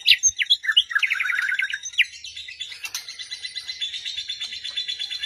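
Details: White-rumped shama song meant to provoke a quiet bird into answering: a quick descending series of bright chirps, followed by a long, thin, high buzzing trill that fades steadily.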